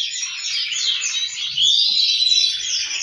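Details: Male canaries chorusing to encourage breeding: a thick, continuous wash of overlapping high warbling with no clear gaps, several singers at once.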